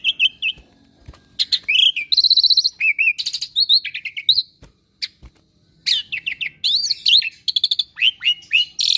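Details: Mimicking Asian pied starling in a cage, its song jumping between short whistles, harsh buzzy chatter, and clusters of quick rising and falling notes separated by brief silences.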